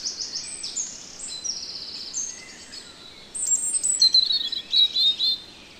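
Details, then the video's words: European robin song recorded in the Netherlands: soft overlapping high notes from distant birds, then a louder, clear phrase of quick sweet warbles and thin whistles near the end. "Relaxing Birdsong: European Robin"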